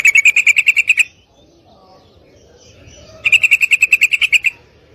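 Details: Female yellow-vented bulbul calling a male to mate: two fast bursts of about ten bright, even chattering notes, roughly seven per second, separated by a two-second pause with faint background hiss.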